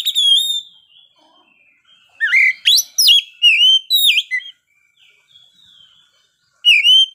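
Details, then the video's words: An Oriental magpie-robin sings at midday in varied, loud whistled phrases, rising and falling sweeps and sharp slurred notes in bursts with short pauses; nothing else audible. "SUARA KACER NGEPLAY SIANG HARI"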